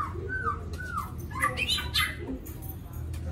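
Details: A captive white-rumped shama kept at home singing: two slurred mellow whistles, then a rapid burst of rich, varied, higher notes, over a steady low hum.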